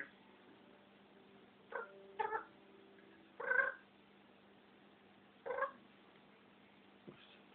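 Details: African grey parrot kept as a pet, said to fall silent on seeing the camera, producing a handful of separate harmonic calls, some meow-like, spaced by quiet gaps in a room with a steady hum.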